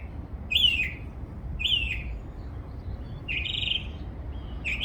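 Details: A bird twittering in a backyard: four short, bright chirps, some slurred and buzzy, spaced about a second apart over a steady low background rumble.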